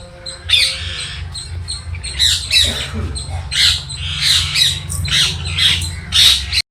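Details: Parrot in a garden with banana and coconut trees, letting out scratchy squawks in irregular clusters, with faint background music and hum.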